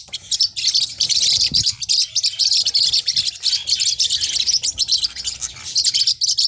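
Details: High, squeaky twittering from Forpus parrotlets, small hook-billed parrots, as bursts of chirps in quick succession that merge into a busy chatter with one low knock.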